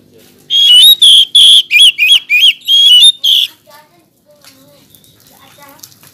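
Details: Oriental magpie-robin delivering one loud three-second burst of about seven sharp, bright whistled notes with bending pitch, followed by faint, soft whistles and chirps.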